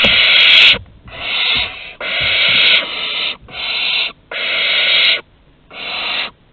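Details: At the nest entrance in Théding, France, on 15 August 2020, barn owl chicks beg at prey deliveries with six loud, rasping hisses, each about half a second to a second long, with short quiet gaps between them.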